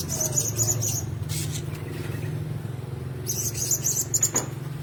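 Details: Caged blue-crowned hanging parrots sharing one cage: rapid, shrill, high-pitched twittering at the start and again near the end, separated by a quieter stretch with low rumbling background noise.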